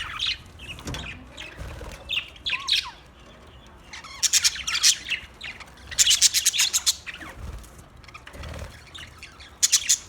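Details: Budgies chirping in quick chattering runs, bright clicky trills and warbles, some rapid buzzy pulses repeated in clusters, with quiet gaps between bursts and a faint low hum beneath.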